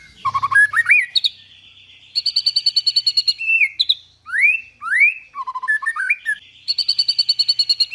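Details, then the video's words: White-rumped shama (murai batu) delivering tembakan and isian: long runs of machine-gun trills at high pitch alternate with sweeping rising whistles and short low fluty phrases, loud and continuous, with a brief low thump at the start. "Dahsyaaatt Tembakan & Isian Murai Batu // AmAzing Bird chirping like no tommorow"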